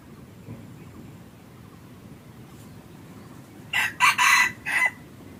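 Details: Red junglefowl kept as a hunting decoy, heard after several seconds of faint hiss, then a sudden loud four-part crow of short harsh bursts with a longer middle note, closing the recording.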